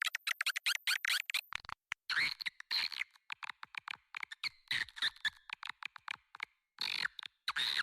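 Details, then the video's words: Swiftlet lure call played to attract swiftlets to a nest building, Indonesia: dense bursts of sharp, rapid chirps and twittering clicks, repeated in irregular clusters with brief pauses, high-pitched and continuous. "SUARA PANGGIL WALET TERBAIK"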